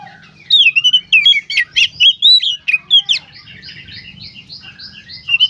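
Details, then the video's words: Gacor konslet singing by an Oriental magpie-robin. A burst of rich whistles, slurred notes and sharp upward chirps for about three seconds, then fainter twittering and a low background drone. "suara burung kacer gacor konslet"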